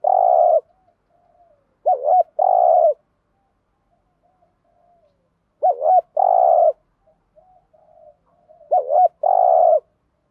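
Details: Spotted dove giving the 'thúc gù' urging coo style used as a decoy to lure wild doves: low, hollow coo phrases with a brief stuttered lead-in, four phrases spaced about three to four seconds apart, faint softer notes between.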